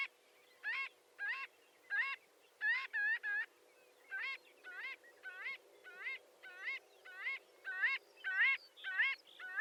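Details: Marbled godwit, largest of the godwits, calling in a long series of nasal, bugle-like rising notes, mostly singles with a fast triple burst near three seconds, spaced about half a second apart.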